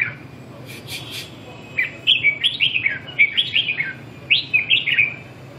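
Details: Red-whiskered bulbul singing a lively series of warbled, rising and falling whistled notes in quick bursts, over constant low background noise.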